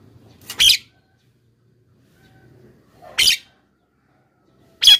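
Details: Javan myna sound used as a lure to draw wild birds and encourage caged birds to answer: three short harsh bursts spaced about two seconds apart, with faint low rumble between them.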